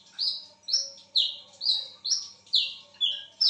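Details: Wiceh bird in full voice at midnight, giving high down-slurred whistles at a steady pace of about two per second, each note sliding quickly downward.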